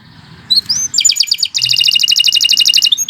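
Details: Canary in 'gacor' song: a rising whistle, then quick high chips leading into a long, even, fast trill of bright repeated notes over a low background murmur.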